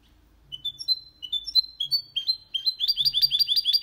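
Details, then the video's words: Hybrid of goldfinch with canary giving clean song, used to stimulate males to sing and young birds to learn: spaced rising whistled chirps speeding up into a fast rhythmic run of bright twittering notes. "Mixto de Jilguero Cantando Limpio 2022 para Estimular"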